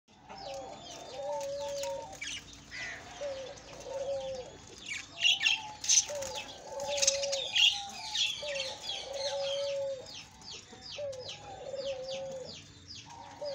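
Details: A flock of budgerigars bathing, chattering with busy, high chirps and squeaky warbles over steady lower tones.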